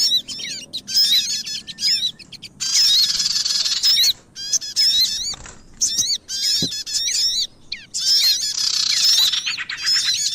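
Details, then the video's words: Sogon birds on a trapping lure recording: dense bursts of high, twittering chatter with rapid rising and falling whistled notes, broken by short pauses and a faint thud. "MP3 Pikat Sogon Paling Ampuh lansung Sambar"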